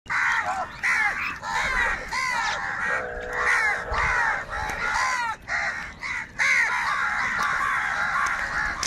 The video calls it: Crow bird Fight for Food | Angry kauwa ki awaaz